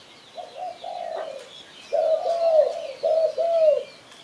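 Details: Spotted dove from Malaysia calling, as used to lure birds for catching: a short coo followed by longer, mellow drawn-out coos in two-part phrases, gently falling at the ends.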